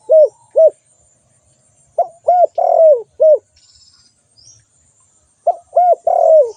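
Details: Spotted dove call: two short coos, then two fuller phrases of mellow coos, each built around a long, downward-sliding note, in otherwise still surroundings.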